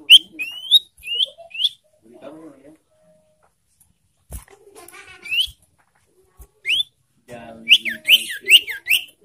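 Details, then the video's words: Lure call of the ashy tailorbird, meant to stir up breeding-condition birds. Sharp upward-slurred whistles come in quick groups and are broken by faint low murmuring and clicks. A dense burst of rising and falling notes closes it. "Memancing emosi dan Merangsang birahi burung sirtu"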